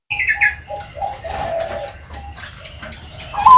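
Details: Young zebra dove of the Bangkok type, ringed, giving soft tonal notes near one pitch mixed with brief higher, slurred chirps, followed by a louder rising note at the end.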